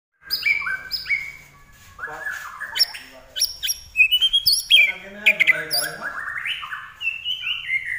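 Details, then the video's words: Common iora, known locally as larwo, singing vigorously: a rapid run of varied whistled and chirping notes that slur up and down, with bright sharp bursts in between. There is no other clear sound. "larwo Gacor"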